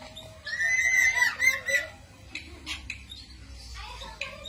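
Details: Cito bird song, used as a lure or master for training songbirds: a loud, clear, slightly wavering whistle lasting over a second, followed by scattered quieter chirps and background noise.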